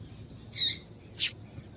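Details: Two short, high, scratchy chips about half a second apart from a female double-collared seedeater, the kind of call used to stir a male into singing; faint hiss in the background.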